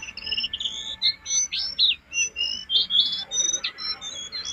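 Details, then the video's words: Jongkangan singing steadily as a master recording for training caged birds: rapid, varied high twittering phrases with sharp whistled slurs and buzzy trills, delivered in bursts roughly every half second, no other clear sounds. "Masteran jongkangan gacor isian,pancingan terbaik buat jongkanganmu biar cepat gacor"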